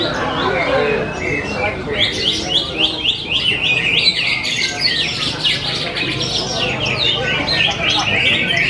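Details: Greater green leafbird, bought at the Kepanjen market only two months earlier and already a contest winner, delivers a rapid, dense run of bright chirps and sweeping twittered notes, with background chatter and crowd noise throughout.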